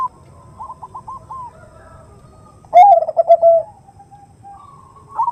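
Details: Zebra dove, a hen calling for the male in 'nutut' style as a lure: soft evenly spaced short notes, then one loud, pulsing, rolling coo phrase, ending with quieter sustained tones.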